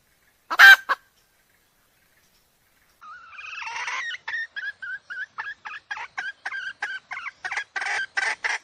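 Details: Decoy hen call used by trappers to lure wild roosters in: two loud squawks, a pause, then a rising run of short, evenly spaced clucking notes that quicken and grow louder.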